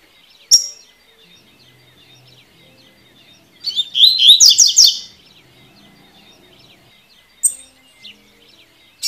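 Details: Double-collared seedeater giving its tui tui song style: sharp high chips, then a loud burst of rapid, buzzy, repeated notes lasting about a second, followed by more isolated chips over a soft background of faint chirping.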